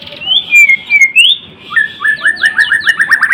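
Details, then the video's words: White-rumped shama, called murai batu or murai blorok, gives clear slurred whistles falling and rising, then a fast accelerating series of short rising notes repeated about eight times. "Kicauan MURAI BATU GACOR (Murai Blorok gacor)"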